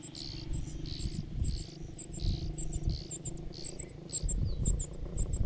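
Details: Parasitic cuckoo chick begging food from foster parents: a steady series of sharp, very high paired squeaks about twice a second over a constant low rumbling background.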